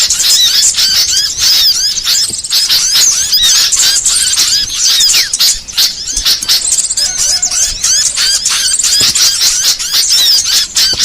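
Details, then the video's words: Varied burcil song used to tutor songbirds: loud, unbroken high twittering made of quick slurred chirps and squeals, with a few thin sustained whistles woven in near the end. "MASTERAN BURCIL VARIASI"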